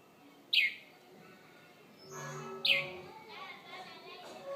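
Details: A wild bird that sings each morning outside a bedroom window in Conakry gives two sharp, loud, downslurred chirps about two seconds apart, with soft rustling and faint background noise between them.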